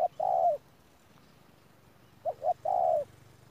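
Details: Spotted dove decoy bird from Đức Cơ, recorded 17 November 2018, uttering two quick soft notes and a longer falling coo, with a quiet pause between phrases and a faint low hum behind.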